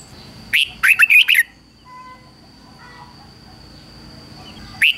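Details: Decoy red-whiskered bulbul singing to lure and provoke wild rivals into fighting: one short burst of five quick, warbled, rising-falling whistled notes, then near silence, another note starting at the end; a steady high whine runs underneath.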